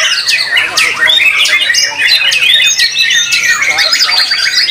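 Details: White-rumped shama (murai batu) singing in a competition session, a caged bird from Solo; loud, rich phrases of sharp rising and falling whistles and scratchy notes follow each other quickly, with a brief faint voice in the background.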